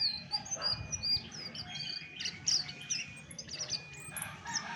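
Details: Chestnut-backed thrush's original song, recorded without tutor-bird audio: quick, high twittering phrases of clipped whistles and chirps, coming in clustered bursts over a faint continuous hum.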